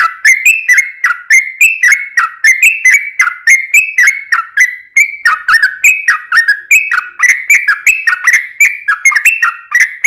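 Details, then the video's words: Lively yellow-vented bulbul song used to draw other birds into singing: steady, bubbling series of short whistled slurs with crisp onsets, alternating higher and lower notes without pause for ten seconds. "Ini Baru Pancingan Trucuk Sesungguhnya || Burung TRUCUKAN GACOR"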